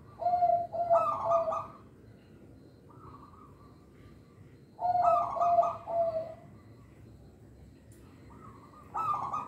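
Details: Song of a local zebra dove, used to lure young birds and encourage lazy singers: a burst of low coos with bright rolling notes, a softer higher tone, then the phrase repeats about every five seconds.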